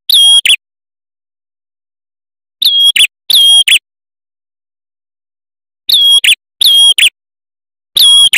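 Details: A male red-headed prinia gives short bursts of sharp, ringing chirps in quick pairs, with a clean silence between the bursts.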